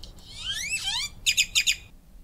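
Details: Original recording of grackles: a rising, squeaky whistled glide followed by four quick, harsh metallic clicks or chips in rapid succession.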